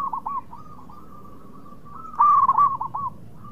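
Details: Local zebra dove in active song, used to lure rival birds into answering quickly: a few soft hooked coos, then a near-steady tone and a loud ringing burst of rapid curled notes.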